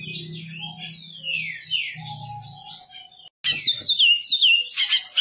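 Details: Goiano pardo bicudo, a great-billed seed finch, singing long slurred whistles that sweep down in pitch. After a brief gap comes a fast run of repeated sharp chipping notes, about eight in quick succession, over a low background hum.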